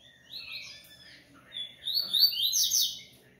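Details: Double-collared seedeater (coleiro) from a Brazilian breeding aviary. A soft opening phrase is followed by louder, high, rapidly slurred whistles that rise toward the end.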